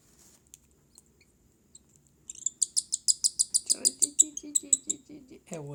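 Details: Baby cockatiels being hand-fed give a rapid series of high, scratchy chirps that starts after about two seconds and repeats several times per second with even pulses, followed by a lower, rougher sound at the end.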